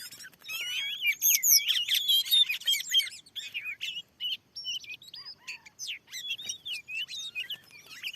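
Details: A wild Oriental magpie-robin, described as very aggressive, sings back at a lure in newly cleared fields. A dense, scratchy-whistled outburst opens, then separated bright notes and short warbled phrases follow.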